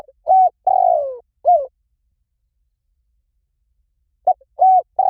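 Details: Decoy call of a spotted dove for luring wild doves: one full phrase of level coo, long rolling downward-sliding coo and short falling note, a long silence, then the next phrase starting with a short coo and pip.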